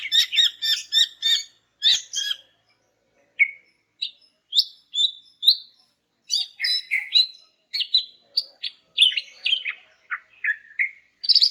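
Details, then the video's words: Greater green leafbird female, played to make silent males answer: a fast stuttering series of sharp chips, then varied short whistles and chirping phrases in an irregular, lively stream. "BURUNG CUCAK IJO JANTAN MACET BAKAL NYAUT GACOR DENGAR INI"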